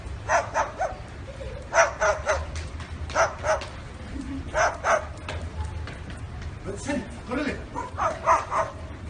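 A parrot mimicking a dog, with short runs of hoarse, yapping barks about every second or so over a low steady hum.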